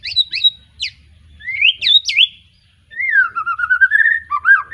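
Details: Young white-rumped shama just past its spotted juvenile stage, Petarukan, Pemalang: clear sweeping whistles and sharp upslurs, a short silence, then a rapid warbled series of looping notes.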